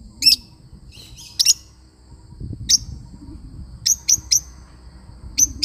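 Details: Shrill, sharp chirps from a lovebird parrot, given singly or in pairs at irregular gaps, ending in a quick run of three; soft low rumbling fills the background.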